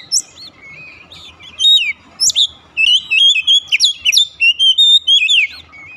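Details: Lure recording of Oriental magpie-robin song meant to prompt a mute bird to sing. A few scattered chirps lead into a dense burst of rapid whistles, sweeping and warbling notes that grow busier toward the end.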